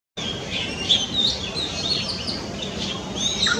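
Oriental magpie-robin singing a varied run of short, clear whistled notes, rising and falling, over a steady background hiss.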